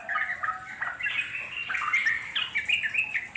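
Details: Yellow-vented Bulbuls in the wild giving busy, liquid song: jumbled gurgling notes with short, upward-slurred whistles near the end.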